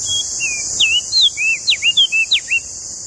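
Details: Energetic song of a Lombok common tailorbird: about a dozen piercing whistled notes, alternately falling and rising steeply, delivered briskly over three seconds over a constant high insect-like hiss.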